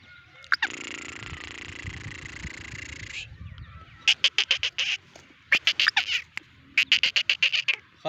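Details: Black francolin in Sindh, Pakistan: a steady broad hiss fills the opening seconds, then harsh, rapid grating pulses follow in three bursts of roughly five to eight notes each across the last four seconds.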